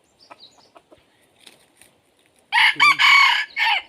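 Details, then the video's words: Red junglefowl crowing during decoy hunting to lure wild junglefowl: after soft faint calls, a loud, harsh, multi-part crow of about one and a half seconds ends with a short final burst. "dib qaib qu tuaj zoo Kawg li ต่อไก่ป่าเข้าดีมาก"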